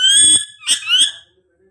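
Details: Pet parrot giving a drawn-out, harmonic-rich squawk that holds a steady pitch, followed by two quick rising chirps, then silence.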